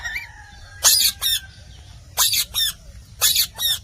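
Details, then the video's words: Rose-ringed parakeet, called Indian parrot, talking: three pairs of loud, harsh, noisy squawks spaced about a second apart, with a faint thin whistled note at the start. "Indian Parrot Talking Natural Sounds"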